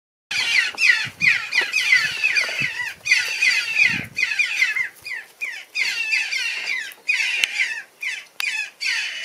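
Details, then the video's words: A baby jackdaw gives harsh, wheezy squawks in rapid bursts, about two or three a second, with brief pauses between runs. "Ever wondered what a baby jackdaw sounds like?"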